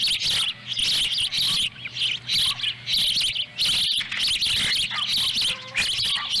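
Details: A chick eats a small fish delivered by the female at an osprey nest in Lolo, Montana, July 18, 2017. A dense, almost unbroken stream of harsh, high chirping continues with only short pauses.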